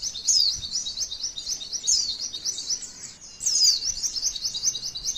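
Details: Rapid, buzzy zigzag notes from a female white-eye in long 'tembakan' bursts said to draw other white-eyes into song. Several bright descending whistles are mixed in, with a brief dip in the middle before the chatter surges back.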